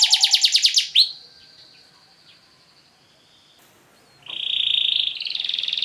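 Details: Canary singing an elaborate, long-duration song used as a lure to stir other canaries into singing: a fast pulsed high trill, then an upward sweep into a thin sustained whistle, a near-quiet pause, and finally a buzzy rapid rolling trill.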